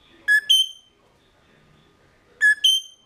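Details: Mulga parrots kept in a cage, captured by a GoPro Hero 3+ inside the enclosure at 09:28 on 18 November 2014; a pair of loud whistled doublets, low note then ringing high note, two seconds apart.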